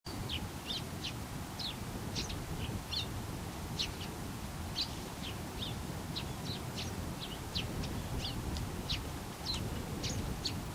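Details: Eurasian tree sparrow filmed in close-up, calling on its own as if talking to itself: a long run of sharp, high chirps, some clipped and some slurred, about three per second, over a low constant rumble.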